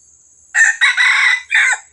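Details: Crowing red junglefowl from Johor, Malaysia, in a recording for luring wild junglefowl: a short harsh first syllable, then a drawn-out strong middle note and a clipped falling final note, clean and close.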